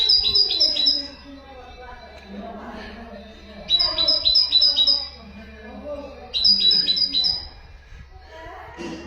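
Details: Common nightingale song meant to train goldfinches and canaries: a crisp burst of five or so fast, evenly spaced high whistles recurs about every three seconds, with a man's quiet talking heard underneath.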